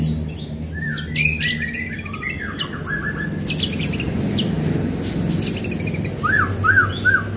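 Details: White-rumped shama song used to prompt other shamas to sing, rich and varied: sliding whistles mixed with bright high chattering notes, ending in three quick rising-falling whistles, with a low background hum.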